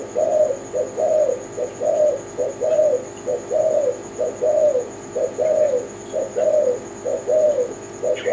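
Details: Steady zebra dove song, locally tekukur Kelantan: low, purring coo phrases repeated about once a second in an even rhythm. Hardly any other sound apart from a thin constant high tone.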